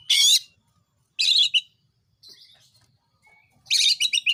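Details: Oriental magpie-robin singing vigorously, a lure to provoke other magpie-robins into song; loud harsh rasping bursts, a soft twittered phrase and thin whistle between, ending with a rasp broken into quick stuttered notes.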